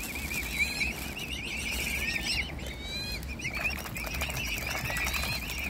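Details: Mute swan family, with the cygnets hand-fed: wobbling high peeps trill on in quick succession. A few brief upward squeaks stand out, and rustling water noise runs underneath throughout.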